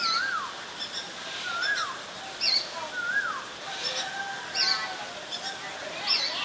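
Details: Ashy drongo in Ubon Ratchathani, Thailand, 11 April 2022, giving repeated down-slurred whistles about every 1.3 seconds, alternating with thin, high, sharp notes, against a quiet background.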